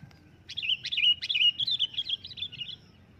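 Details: Sooty-headed bulbul giving a loud, lively run of rapid, wavering, bubbly notes, around two and a half seconds of continuous chattering warble, with only low hum behind it.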